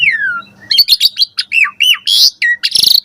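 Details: Brief bout of Asian pied starling morning song used to train caged starlings; a long falling whistle, then quick arched chirps and two rough harsh bursts.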